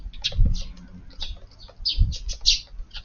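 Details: Eurasian tree sparrows visiting a garden for an evening meal on 22 April, fluffed up against a strong cold wind; scattered short high chirps, some faint, over low thumping and rustling.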